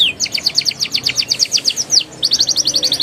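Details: Canary rolling song used to stimulate young canaries: fast paired high chirps repeated around four per second, a brief pause, then a quicker run of bright chips.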